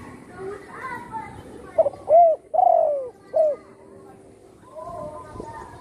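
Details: Home-kept spotted dove whose wing was broken when it was shot, now singing strongly. Faint background sounds come first, then a crisp coo phrase: a brief stutter, a domed note, a drawn-out falling coo and a clipped closing coo.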